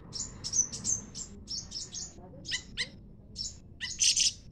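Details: Leafbird in song alongside a scarlet minivet: a busy stream of thin, high chirps and short buzzy notes, irregularly spaced, ending in a louder bright rattling burst; low background noise throughout.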